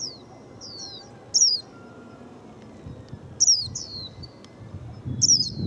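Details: Japanese white-eye of the type locally called 'bánh tẻ', described as singing often, gives short high whistled phrases that slur downward, repeated about every two seconds, with a few softer twittering notes between and low background rumble.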